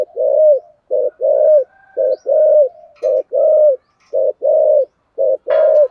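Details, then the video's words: Spotted dove in thổ sấm voice, cooing thúc gù style: quick rhythmic run of short clipped notes alternating with longer rounded coos, about one per second, plus a faint click near the end. "cu gáy giọng thổ sấm thúc gù quá hay"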